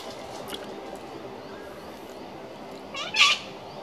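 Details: A sulphur-crested cockatoo destroying loquat fruit gives one short, harsh, raspy screech near the end, over a low background hiss.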